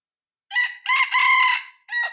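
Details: Crowing of a young red junglefowl decoy cockerel, aged six months, being tested to draw in wild junglefowl; a brief first note, a long rasping held phrase and a short tail note, clear and loud.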